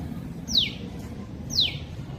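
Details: Small bird on a balcony, apparently searching for something, gives two piercing descending whistled notes about a second apart, loud for its size, over low steady background noise.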